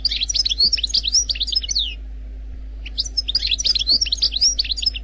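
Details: Algerian goldfinch singing a faultless wild-type song in two rapid twittering phrases of bright, high chirps and slurred whistles, separated by a short pause, with a constant low hum beneath.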